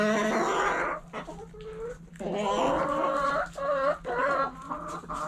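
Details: Several backyard hens eating together, their overlapping clucks and drawn calls forming a busy, continuous chatter with brief quieter gaps.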